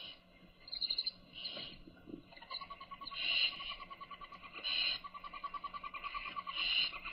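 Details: Baby owls being fed by their mother, giving harsh hissing bursts again and again, with a fast ticking series of lower pulses running underneath through the second half.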